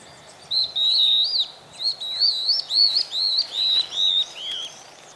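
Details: A pair of stripe-backed antbirds sing a quick run of about nine clear, high whistles, each with a slight rise and fall, the whistles overlapping as if from two birds, over a quiet background.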